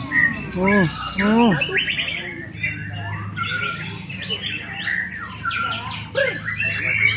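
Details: White-rumped shama, a prize-winning bird with a full song repertoire, opens with two loud, sweeping downslurred whistles, then a fast jumble of varied chirps, trills and squeaky phrases.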